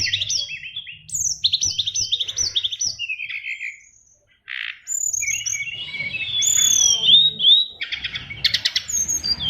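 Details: Caged oriental magpie-robin from a Bali contest line pours out a song packed with imitations: quick runs of high chattering notes, a brief pause, then varied whistles, squeaky slurs and rattling trills.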